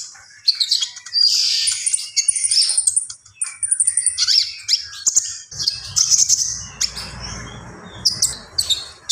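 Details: Common iora in gacor song: long run of rapid high chirps, trills and buzzy whistles, with a soft rustling noise entering in the second half.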